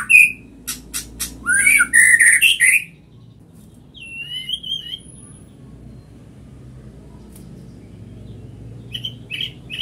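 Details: White-rumped shama singing readily: an opening burst of sharp clicks and varied whistled notes, then a quiet gap with one wavering whistle and a few soft chips near the end.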